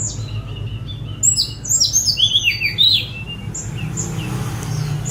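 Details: Sunda robin (tledekan gunung) singing while free, recorded on a phone: a fast cascade of high squeaky, sliding notes in the middle, with softer thin whistles around it and faint low noise.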